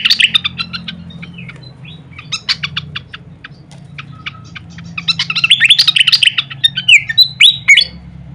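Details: Pied fantail song from a training recording for songbirds: dense chattering of short high chirps and ticks mixed with brief whistled notes, busiest and loudest in the second half, over a low steady hum.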